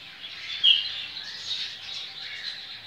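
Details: Coleiro baiano (double-collared seedeater) of the Ciclone song style, a captive bird from a licensed breeder, recorded 23/11/2019: high, fast twittering warble with a bright squeaky note early on, steady throughout.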